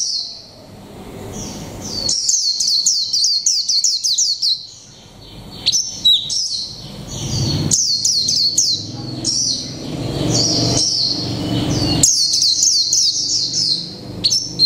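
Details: Caged mộc tinh white-eye, one month in the cage, performs líu pha chòe trống song: long stretches of rapid, high, repeated downslurred chirps, about three to four per second, broken by brief lulls; faint low background noise.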